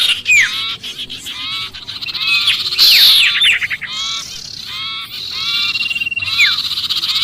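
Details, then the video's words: Sirpu distress chatter mimicking a trapped bird, a lure for other species: loud opening chirps, a harsh buzzy burst with rapid downslurs, then steady repeated arched notes. "suara pikat sirpu Ribut kejepit"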